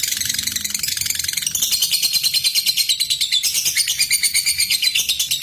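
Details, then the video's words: Lovebird giving a long "ngetik ngekek" chatter, used as a lure to call a rival and stir other lovebirds to sing: high, dense twittering that breaks into a fast, steady stutter of sharp notes, about three per second. "Suara Lovebird Ngetik Ngekek Panjang"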